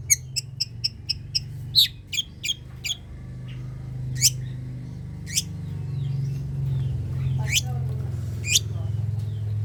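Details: Long-tailed shrike sounds used as a lure to prompt reluctant shrikes to sing. A rapid series of sharp clicks opens, followed by scattered sharp upward-sweeping notes, over a constant low rumbling background noise.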